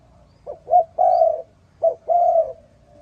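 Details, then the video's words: Spotted dove calling at morning: two phrases of short, clipped coos leading into a long, steady, mellow croo, clear against a quiet background. "Sound Spotted Dove ln The Morning So Beautiful"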